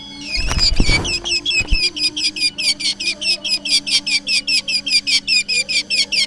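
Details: Black drongo, original sound for luring: after a few low knocks, a fast, steady string of short, bright, harmonic notes keeps repeating for six seconds over a steady low hum.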